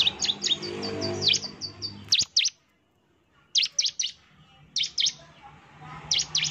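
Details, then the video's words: Bar-winged prinia lure song to provoke a reply: a fast trill of high chips opening the clip, followed by short paired and tripled sharp notes separated by brief silences. "suara pancingan ciblek gacor, NEMBAK terus ciblek pasti NYAUT emosi dan gacor"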